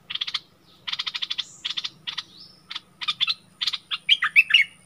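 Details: Bulbul dueling with a wild bird on 27 March 2021: clustered bursts of clicking notes, two thin rising whistles, then louder looping chirps, over a faint low hum.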